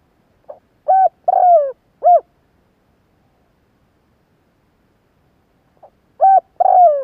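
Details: Spotted dove calling in 2021: two bursts of low, mellow cooing, each a soft lead-in note followed by three or four hooting coos with a drawn-out, falling middle note. A long silent gap separates the phrases. No other sounds.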